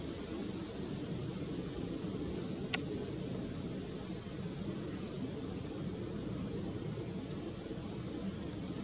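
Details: Steady broadband hiss like a fan or distant traffic, broken once by a single sharp click partway through, with no animal voice.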